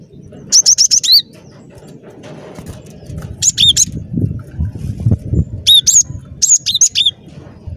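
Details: Lively cinereous tit, a recording meant for luring birds into traps: several runs of high, sharp whistles sliding downward, interspersed with low rustling and knocking noises.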